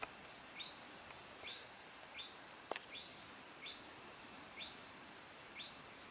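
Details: A long-billed hermit singing at Río Santiago, Atlántida, Honduras repeats a single very high, thin squeaky note about once a second, seven times, over a steady high insect-like hiss.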